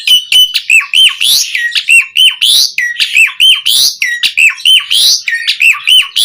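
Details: Asian pied starling training song for caged birds, one whistled phrase with a sharp dip and a harsh rasp, repeated almost without pause, very regular.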